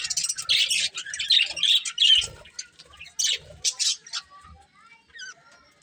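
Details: Budgies in bright colours give bursts of squawky, scratchy chirps in clumps, loud at first, then thinning into sparser, quieter chatter toward the end.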